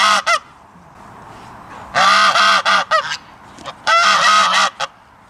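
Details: Goose giving loud, harsh, nasal honks in three bursts. A short double honk is followed by two longer runs of rapid honks, with quiet gaps between them.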